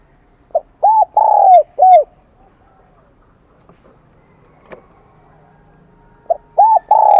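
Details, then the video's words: Wild-caught spotted dove singing in the high 'kim đồng' (bronze-bell) voice style. Its mellow, even-pitched coos form a quick double note followed by a long drawn coo. Phrases come in bursts with a quiet pause between them, over faint background noise. "Tiếng chim cu gáy giọng KIM ĐỒNG bổi nghe rất nhạy"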